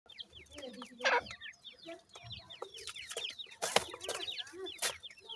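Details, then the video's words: Grey francolin chicks with their parents: a dense chorus of thin, high, downslurred peeps repeated rapidly by several chicks, with a few lower clucking notes and some sharp clicks and bumps. "grey francolin teeter and chicks,dakhni titer k baby"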